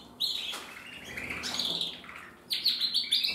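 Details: Red mosaic agate canary cock from a 2024 breeding delivers bright, fast trilled phrases. Bursts of high twittering are separated by a short quieter gap, then the song resumes with sharp, rapid notes.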